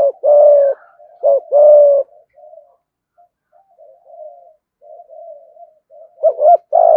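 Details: Spotted dove lure bird in 'thúc gù' song, 'giọng thổ' voice: loud deep paired coos at the start and end, with softer low murmuring coos in the quieter middle stretch.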